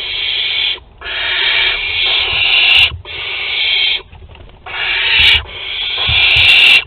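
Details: Barn owls at a nest in Théding, France, 22 August 2020, excited at a food delivery: drawn-out breathy hissing screeches of one to two seconds, repeated five times with short breaks between.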